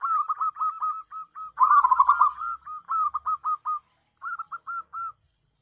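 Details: A tame local zebra dove for trapping wild doves coos in rapid strings of short curled notes, with a brief rustling burst in the middle, then gaps and a few spaced notes closing the phrase.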